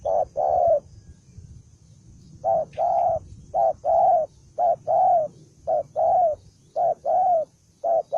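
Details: Fierce, fight-prone spotted dove, one wild-caught bird, cooing continuously in rhythmic pairs of hoarse low notes, a clipped note followed by a longer one, roughly once a second, against soft low rumble.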